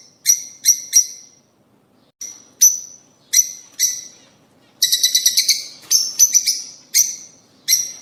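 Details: Calls of rosy-faced and Fischer's lovebirds meant to encourage pairing and breeding: shrill chirps in small clusters separated by brief silences, then a quick rattling run of squeaks and more scattered piercing notes.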